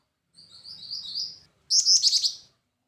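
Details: Black-winged flycatcher-shrike: a soft, high whistled run followed by a louder burst of sharp, high trilled notes.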